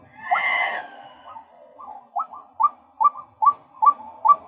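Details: A male white-breasted waterhen opens with a loud, harsh, drawn-out cry, then settles into evenly spaced, short clucking notes repeated more than twice a second.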